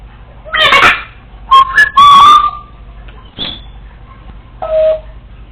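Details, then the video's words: Female Congo African Grey parrot mimicking learned sounds while home alone: a rough squawky burst, then a loud, clear, slightly wavering whistle, a brief high chirp and a final short whistled note. "African Grey Parrot recorded talking to herself when no one was home!"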